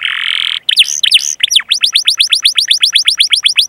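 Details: Canary singing in a long 'gacor' style with cuit-cuit chirps and rolling 'ngerol' trills, used as a master recording to coax young or silent canaries into song. A steady buzzy note opens, then looping sweeps and a fast, even trill of descending whistles.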